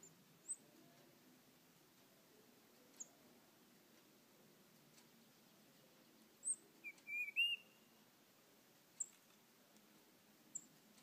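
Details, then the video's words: Tufted titmouse at a bird feeder, singing after switching from calling; one clear whistled phrase of several notes near the middle, with scattered high thin chip notes before and after, otherwise quiet. "Tufted Titmouse Song"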